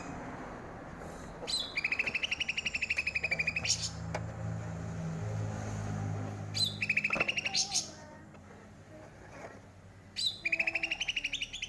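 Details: Bulbul called cucak rante, said to be growing rare in Aceh's wild forests, used to tutor captive birds: three bursts of fast rattling high chirps separated by pauses, with a steady low hum underneath.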